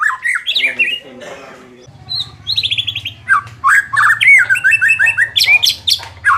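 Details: White-rumped shama song, used to rouse a bird lacking fighting spirit: rapid whistled phrases mixed with harsh chatter, then fast strings of high slurred notes, with a low droning hum underneath.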